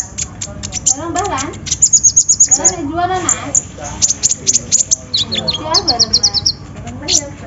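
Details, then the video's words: Sunbird (kolibri ninja) song used as a lure to prompt other birds to sing: rapid, very high, thin chirps and short trills in quick bursts, mixed with lower, warbling, voice-like sounds and background music. "PANCINGAN KONIN SUSAH BUNYI!! SEKALI DENGAR LANGSUNG DUUUAAAAARRR"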